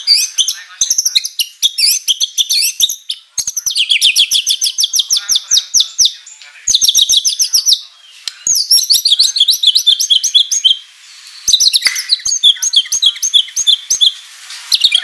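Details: White-rumped shama singing hard, its song full of learned material, used to provoke other shamas into replying: long bursts of fast, evenly repeated high notes broken by brief pauses, with clicks between bursts.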